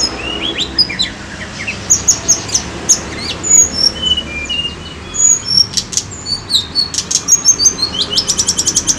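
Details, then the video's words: Tledekan gunung bird song used as a lure: scattered thin whistles and quick chips at first, building to dense, lively phrases and ending in a fast run of sharp repeated ticking notes. "PANCINGAN TLEDEKAN GUNUNG"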